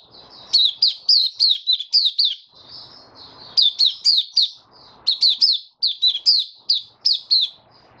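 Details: White-eye song from a caged bird on a warm, humid day in March 2022: high twittering phrases of about four notes per second, rising and falling slurs, separated by short pauses with low murmuring noise.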